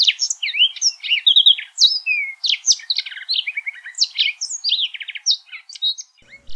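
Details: Yellow canary (Crithagra flaviventris) singing a fast, varied phrase of high chirps, slurred whistles and short trills. Notes change pitch constantly in a lively, unbroken stream lasting about six seconds, with no other sounds.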